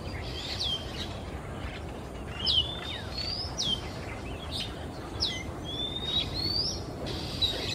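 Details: Male Oriental Magpie-robin in Singapore singing its afternoon repertoire while flying from perch to perch. Varied sweet whistles, swooping slurs and brief harsh notes follow one another, with steady low background noise.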